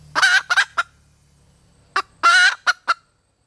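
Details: Calling female red junglefowl producing paired harsh, buzzy squawks and a short cluck, then after a gap another cluck, a long squawk and two clipped notes, with low rumbling hum in the first seconds.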